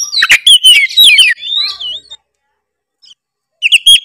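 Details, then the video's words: Kacer Tretes, an oriental magpie-robin, singing a provoking song: quick tumbling whistles and chirps, a drawn-out wavering whistle, a silent gap, then sharp high notes resume. "pancingan kacer tretes gacor full isian bikin lawan auto emosi denger suara kacer tretes satu ini"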